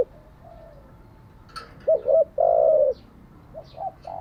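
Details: Spotted dove coo used to train wild-caught and decoy birds: after faint soft notes and a brief high chirp, two quick low hoots lead into a long steady coo, then shorter softer coos trail off.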